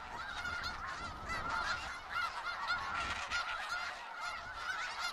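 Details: Skagit Valley snow geese keep up a busy, noisy chorus of short nasal honks and yelps, many birds at once, over an intermittent low rumble.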